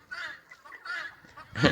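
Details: In the background on a ranch one morning, a female helmeted guineafowl repeats her harsh two-tone "kokan" cry, the pattern that sets females apart from males, whose cry isn't two-toned.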